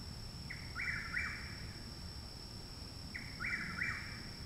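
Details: Loud, close chuck-will's-widow song recorded by a home in Parkersburg, West Virginia, on 29 May 2019, a month after the bird arrived; two clear phrases of a soft opener followed by two emphatic whistled notes, over a steady hum.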